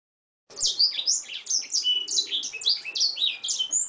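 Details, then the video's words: Training song of an Oriental magpie-robin with canary-like phrases: a short silence, then a nonstop torrent of high chirps, quick whistled slurs and buzzy notes, changing pitch every fraction of a second. "MASTERAN KACER KENARI FULL ISIAN"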